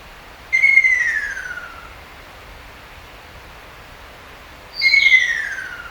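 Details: Ruddy kingfisher in Japan in spring to early summer sings two long, slurred whistles that roll down in pitch, about four seconds apart, against quiet background hiss.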